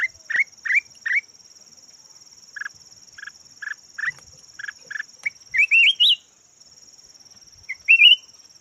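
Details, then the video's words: Decoy red-whiskered bulbul (chào mào vàng) giving a series of short upslurred whistles and clipped repeated notes, then a fluid rising warble and one more whistled phrase near the end, with a persistent high whine throughout. "chim chào mào vàng chim mồi"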